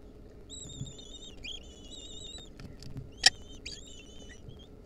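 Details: Wild lesser kestrel nestlings begging while their mother feeds them a mouse at a nest: thin, high, drawn-out wavering squeals with a harmonic above, in several bursts over a low background hum, with sharp clicks.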